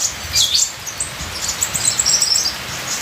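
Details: High, sharp chirps and twittering phrases from a ninja sunbird in full song, delivered in rapid clusters against a continuous patter of rain.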